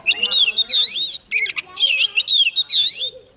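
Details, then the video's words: Oriental magpie-robin, young, singing intensely as a wild bird comes near. It gives a dense stream of loud, looping, warbled whistles in short bursts, with a lower wavering tone underneath. "Choè than non lên hót cực sung khi bổi đến gần"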